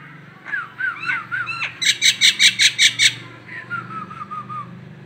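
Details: Local Nias hill myna, Indonesia: soft wavering whistles build into six loud, harsh, buzzy squawks, then trail off into a run of quieter descending whistled notes.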